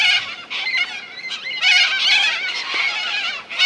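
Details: Corellas at Minkies Lagoon on Coopers Creek near Innamincka, South Australia: a dense flock chorus of harsh, screeching, overlapping calls, continuous with brief dips, many birds calling at once.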